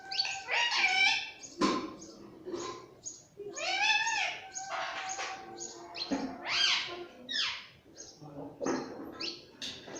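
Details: Pet parrot indoors calling in a busy stream of harsh, nasal notes, some arching up and down, with short gaps between bursts and a low background hum.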